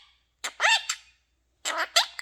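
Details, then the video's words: Talking pet quaker parrot indoors: two short bursts of gravelly, voice-like syllables with a swooping tone, separated by about a second of silence. "Singing and talking quaker parrot"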